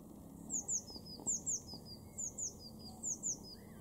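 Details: Eurasian blue tit in a garden in Weener, East Frisia, far northwestern Germany, April 2021; thin high notes in quick pairs, each pair trailing into lower descending notes, the phrase repeated about every second over a low steady hum.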